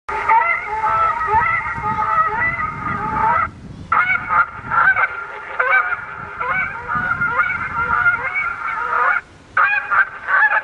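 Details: Canada geese honk harshly in a dense, continuous clamor with two brief pauses, in San Francisco botanical garden, where a deterrent recorder plays coyotes and distressed geese every five minutes; the geese appear unbothered.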